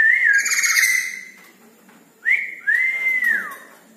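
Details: Red-breasted parakeet calling at night with drawn-out whistled notes that rise, hold level and fall away, separated by a second of quiet.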